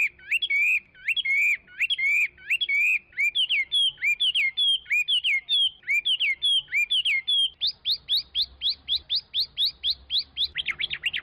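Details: Chinese hwamei singing a long run of loud, clear whistled phrases, each note swooping up and down, repeated rapidly in series that shift to higher, faster notes near the end.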